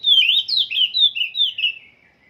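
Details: Oriental magpie-robin still being trained in its song, delivering a quick series of loud, high, slurred whistles, about seven notes in under two seconds, dropping slightly in pitch before stopping.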